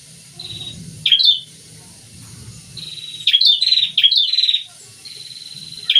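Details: A pair of prinias singing actively: short bursts of high, sharp chirps and a thin sustained whistled note, about three bursts in six seconds, over a low rumbling hum.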